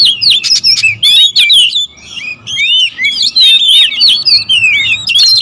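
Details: Several oriental magpie-robins, territorial birds, singing at once in a noisy exchange: dense overlapping whistled phrases, rising and falling slurs and sharp chirps, with a short quieter pause midway.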